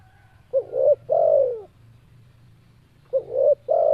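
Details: Spotted dove (tekukur) cooing, kept as a singing bird: two phrases of a three-part coo, a short note, a mid coo and a long falling coo, low and mellow, with faint low background hum.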